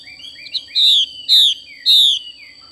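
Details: Female Chinese hwamei, xùy call: three loud, slurred whistles, each falling in pitch, spaced about half a second apart after a soft lead-in note. A constant high-pitched tone runs underneath.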